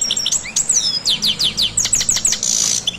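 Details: Goldfinch singing a quick twittering phrase of high, sharply slurred chirps, about two per second, closing with a short buzzy rasp; lively, liquid tone throughout.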